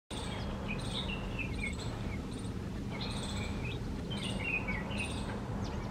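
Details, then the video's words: Bulbul recorded on 17 November, giving short bubbling chirped phrases of two or three slurred notes. Regular pulsed insect trills and a constant low rumbling background run throughout. "17nov bulbul"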